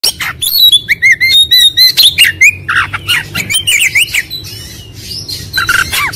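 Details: White-rumped shama in a lure recording meant to prompt a quick response and singing: rapid varied song of whistles, squeaky notes and harsh chattering bursts, mostly high-pitched, with steady low hum underneath.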